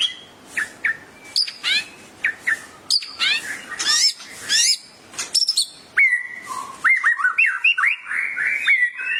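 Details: White-rumped shama song as master recording for training caged shamas: loud varied phrases mixing harsh chattering bursts and clear whistles, ending in a quick sequence of bright rising and falling whistled notes.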